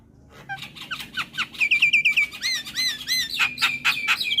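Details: Yellow-eyed Javan myna singing a varied tutoring song for young birds: sparse notes build into fast repeated high chirps, then rising-falling arched phrases and loud chattering bursts.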